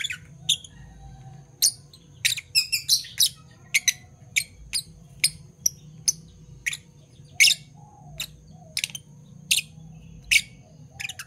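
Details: Morning chirps of two Fischer's lovebirds, parblue violet and parblue turquoise: steady stream of short shrill tweets, sometimes in quick pairs and triplets, with a faint low hum behind.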